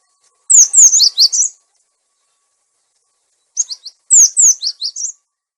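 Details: Cinereous tit lure song with a clear voice, also used as a tutor for caged birds that stopped singing: two bursts of rapid, sharp, downslurred high chirps separated by two seconds of silence.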